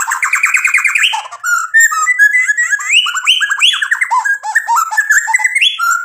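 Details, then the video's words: White-rumped shama showing off rich song material to stir a rival into replying: a dense, continuous jumble of rippling trills, quick whistled upslurs and chattering notes with almost no break. "MURAI BATU GACOR memancing EMOSI lawan jadi NYAUT GACOR BONGKAR MATERI ISIAN ampuh buat PANCINGAN"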